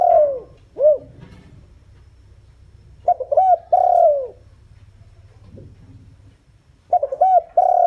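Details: Luring wild doves, a decoy spotted dove utters soft, low coos: two falling hoots, then a pause, a three-note phrase ending in a long note, and another phrase beginning near the end.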